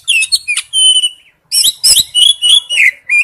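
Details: Male oriental magpie-robin calling to a female: a sustained thin whistle and sharp chips, a brief silence, then fast buzzy and whistled notes run together.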